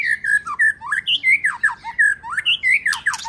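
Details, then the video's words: White-rumped shama singing in a training recording that includes the female's song to arouse males: a string of clear, looping whistled phrases, each rising or falling, repeated roughly every half second. "Luyện Chòe Lửa HÓT NHIỀU GIỌNG HAY + MÁI HÓT Kích Trống"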